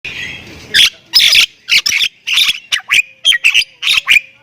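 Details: Javan myna of the Thailand type singing in the gacor full isian style, meant as a tutor recording: harsh squawks and buzzy bursts broken by short whistled notes, about two phrases per second after a quiet opening.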